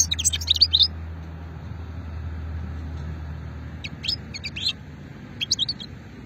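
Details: Old shetla style song of a European goldfinch from Hammam Guergour in Algeria's Sétif area, 2020: quick bright twitters at the start, then scattered clusters of sharp high notes over a steady low droning hum.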